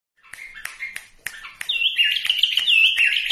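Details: Bulbuls singing in Iraq: a few sharp clicks repeated about every third of a second, then a rich, continuous warbling run of rising and falling whistled notes that grows louder toward the end.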